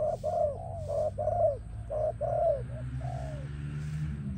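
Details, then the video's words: Spotted dove singing, offered to train and attract doves: a quick run of about eight hollow, slightly falling coos, roughly one per half second, trailing into a longer drawn-out final note over low background rumble. "Spotted Dove animal singing sound"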